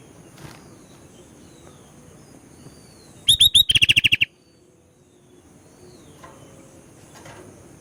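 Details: Over a steady low background hiss, a Sooty-headed bulbul gives a single brief burst: three upswept whistles and a quick chattering run of short high notes.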